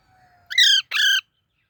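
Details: Young parrot uttering two loud, rich harmonic squawks in quick succession, each about a third of a second long, in a quiet room.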